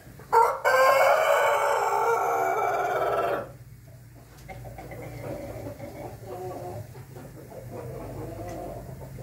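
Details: Crowing Ayam Ketawa chicken on 20 May 2024. A sudden loud, rich and harmonic crow is sustained for about three seconds, then cuts off. Quieter faint calling and background noise follow.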